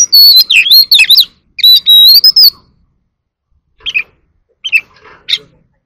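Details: Competitive song of an Oriental magpie-robin with dancing display: a loud jumble of fluty and harsh notes, then a drawn-out whistle rising at the end, followed by softer scratchy calls.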